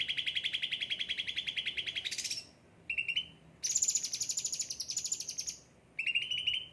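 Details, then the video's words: Well-looked-after cucak ranting: a rapid trill sweeps up into a high buzzy note, then a short trill, a long shrill high trill, and a final quick trill after a pause. "gacor cucak ranting"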